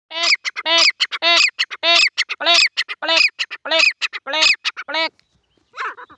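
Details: Black francolin calling: loud, harsh, grating series of short clustered notes, a rapid ratchety sequence repeated about every half second for five seconds, then a brief pause and a fainter resumption.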